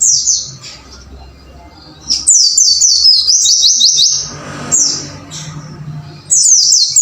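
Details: Caged white-eye in a training recording meant to make birds sing prolifically: bursts of very high, thin, rapid twittering trills with quick chirped notes, separated by brief quieter pauses with faint low background hum.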